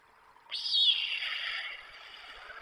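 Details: Young white storks at the nest under their parents' watch, Przygodzice, 24 July 2021, nest camera: a sudden breathy, wheezing hiss that starts sharply, then fades slowly over two seconds.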